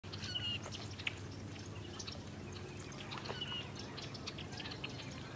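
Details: Fulvous whistling-ducks in Texas: thin whistled notes, each sliding slightly downward, come twice about three seconds apart, over scattered short chirps and clicks and a steady low background rumble.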